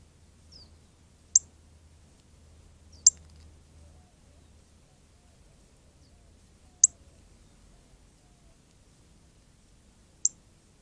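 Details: Bright red northern cardinal in the Arizona desert, giving chirps around its bath: four isolated, thin, high-pitched chips at uneven gaps of two to four seconds over a faint low background rumble.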